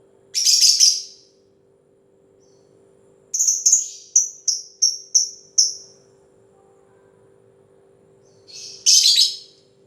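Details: Lovebird 'ngetik' ticking: a harsh high burst, then a string of six clipped descending chirps, a pause, and another rough burst, all above a faint continuous hum.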